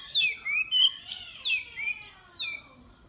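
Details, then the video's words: Loud, clear phrase from a caged Oriental magpie-robin competing in an online contest, Miri, Sarawak: about seven rich whistled notes, each sliding down, delivered in quick succession. "Lomba Burung Online Kacer"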